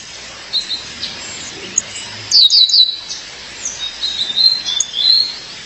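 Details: Female violaceous euphonia calling her mate: a loud burst of three or four piercing, descending chirps mid-clip, preceded and followed by softer thin notes and a drawn-out whistled phrase.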